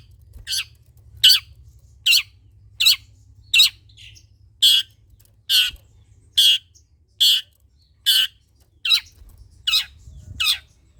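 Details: Long-tailed shrike calling loudly, used to stimulate other shrikes to sing: a series of harsh, raspy squawks repeated roughly every 0.8 seconds, with a faint low hum behind.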